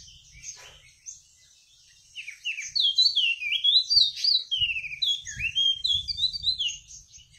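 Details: Wambi songbird singing a quick, varied twittering phrase of high chirps and slurred whistles, several notes per second, after a quiet start with a few faint low thumps.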